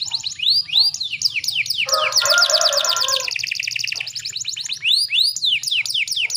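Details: Female canary calling to stimulate males to sing: rapid high, thin chirps sweeping downward, running into a fast buzzy trill with a harsher lower rattle in the middle, then more spaced chirps.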